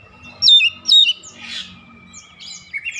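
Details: Oriental magpie-robin calling with rhythmic song: two loud, clear whistled phrases with sliding notes close together, then softer scattered chirps and a brief noisy burst.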